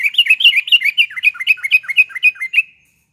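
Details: A steady string of about twenty quick, bouncing, slurred whistles from a lively sooty-headed bulbul, meant to lure birds morning, afternoon and night; the notes dip and rise in an even rhythm before stopping.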